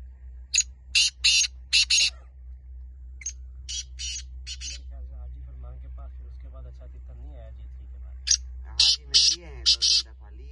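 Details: Black francolin calling in two bursts of loud, scratchy, buzzy syllables, four or five per phrase, separated by a pause in which a human voice talks quietly, over a constant low hum.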